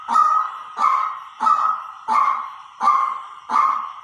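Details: White-breasted waterhen decoy call: six loud, harsh, nasal notes, each a short burst that trails off downward, repeated steadily about every 0.7 seconds in a quiet room.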